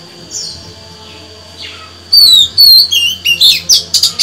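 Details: A female Oriental magpie-robin gives clear, high whistled phrases, mostly falling slurs, in a quick broken series after two quiet seconds; the call is used to stimulate males into singing.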